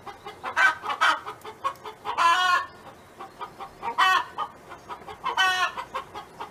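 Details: A hen belonging to a neighbor sings on a farm. Choppy clucks are interspersed with repeated long, coarse squawks, the loudest in the first half, followed by two more squawks later.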